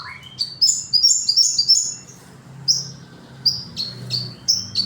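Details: Sogon song opening with a quick rising note, then a tumbling cluster of very high squeaky chirps, a short pause, and a series of sharp downslurred tweets spaced roughly half a second apart.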